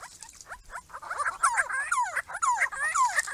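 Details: Grey-crowned babblers from a small group coming to a pond built for them on a property: dense overlapping squeaky down-slurred notes and mewing slurs, a continuous excited chatter from several birds.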